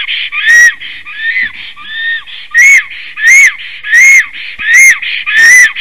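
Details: Black stork at its Latvian nest on 17 April 2019, 15:51, after arrival: long song of steady wheezing whistles, each rising then dropping, with loud grating bursts recurring roughly every 0.7 seconds in a fairly regular rhythm.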